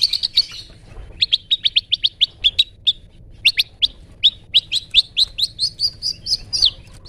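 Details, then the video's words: Long-tailed shrike performing "toet toet" song meant for songbirds to learn; brisk series of clean high chirps, grouped in quick runs with short pauses, ending in a rising string of bright notes. "burung cendet toet toet"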